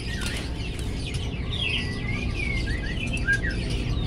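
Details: Lovebird with pretty colours chattering gacor-style as it learns its sounds: thin high twitters, then a longer sweeping whistle and several short downslurred chirps, with faint low background noise.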